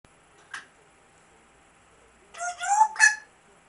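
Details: Grey parrot giving a short raspy note, a pause, then three loud harsh harmonic calls in quick succession that resemble a rooster's crow, with a quiet indoor background.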